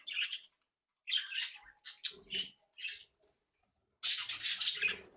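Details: Captive budgerigars from a home-bred flock, described as happy, active and playful, giving short warbled chirps and scratchy squawks in bursts with brief pauses, ending in a louder dense chattering phrase, indoors.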